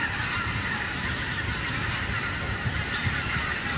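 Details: Flock of wild geese flying over a harvested cornfield stubble, many birds honking at once in a dense, continuous chorus of nasal calls, with steady low rumbling background noise.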